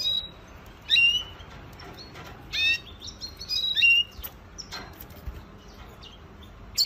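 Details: Red siskin singing in short, separate bursts: a few bright, high chirps and quick upward-flicking notes spaced a second or more apart, with quiet gaps and faint background hiss between phrases.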